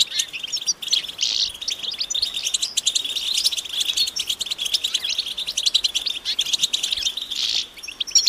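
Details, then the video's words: European goldfinches calling together in nature; the mating and readiness calls are said to spur males to sing. Overlapping quick twitters run constantly, with buzzy, wheezing bursts standing out near the first and seventh seconds. "بتبتة جماعية رهيبة للحسون وسط الطبيعة"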